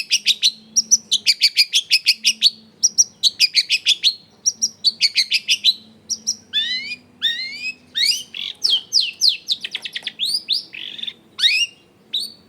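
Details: Long-tailed shrike song played as a lure so other shrikes answer: long runs of rapid repeated high scratchy notes, then varied whistled slurs and chatters, loud and continuous.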